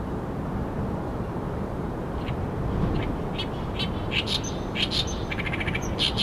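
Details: Oriental reed warbler singing busily by the water of the Arakawa River in Tokyo: bursts of harsh, chattering notes in the second half, over a steady low rumble.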